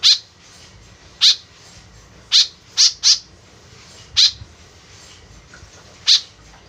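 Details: White-breasted woodswallow calling, sound used as a lure: seven short, harsh, buzzy notes at irregular intervals over about seven seconds, with quiet background between notes.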